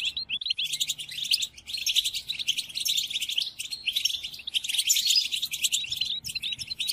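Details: Goldfinch tutoring song for caged birds in moult, European goldfinch: long run of bright rattling twitters and buzzy notes in several phrases with brief breaks, over a faint low background hum.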